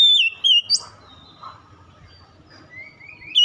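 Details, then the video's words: Oriental magpie-robin song used to provoke a silent bird into singing: a few loud, clear whistled notes at the start with sharp upslurs, a quiet stretch with faint low hum, then another bright whistle. "memancing cepat kacer ngedrop macet bunyi langsung gacor"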